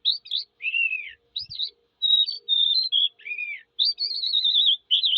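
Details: Singing skylark mixing arched, falling whistles with short chirps and a rapid trilled phrase, all high-pitched, with brief pauses between the phrases.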